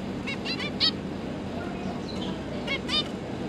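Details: Zebra finch pair with three newly hatched juveniles, the parents busy feeding them, recorded 31 October 2022: a few short nasal, harmonic-rich calls in two clusters over a steady low background hum.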